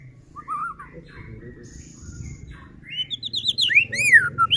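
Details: White-rumped shama used as a singing lure to rouse other shamas; quiet opening with low rumbling background, then loud sweeping whistled phrases and high arching notes in the final seconds.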